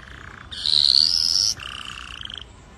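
A red factor canary sings a loud, rapid high trill with a rising whistled note, then drops into a softer, lower rolling trill for about a second.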